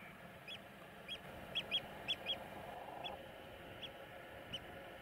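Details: Eurasian oystercatcher in Iceland giving short, sharp high piping notes, irregular, about ten in five seconds, some in quick pairs, against a steady hiss of wind or surf.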